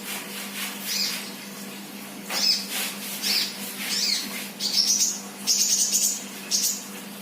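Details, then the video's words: Kolibri, meaning sunbird, a raw 'bahan' bird singing freely: scattered high squeaky notes that build into bursts of fast, buzzy, very high twittering near the end, against a faint low hum. "Burung kolibri bahan Gacor"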